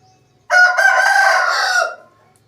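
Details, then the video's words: Loud drawn-out crow from an Aseel rooster, rasping and buzzy, sustained steadily for about one and a half seconds before a quick fall-off, with quiet surroundings. "Asil Rooster Sound Effect |Aseel Roosters crowing Compilation | aseel murge ki awaaz"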